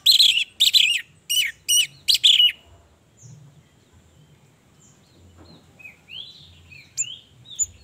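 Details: Female orange-headed thrush sings as a lure for males, giving six loud, harsh, high note clusters in two seconds, then only faint distant sounds with a few soft upslurred whistles.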